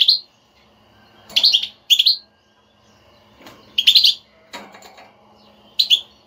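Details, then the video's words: European goldfinch kept as a cage bird, giving bitbita-style chatter played to stir a silent goldfinch into singing: bright twittering bursts of high notes every second or two, with sharp clicks and faint low hum between. "حسونك لا يغرد أسمعه هاته البتبتة وشاهد النتيجة"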